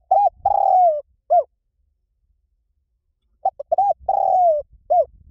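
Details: Spotted dove lure recording in the Liw Tan style, used to train birds to coo back: a short coo, a long drawn falling coo, and another short note. After a pause the phrase repeats, with a faint low rumble beneath.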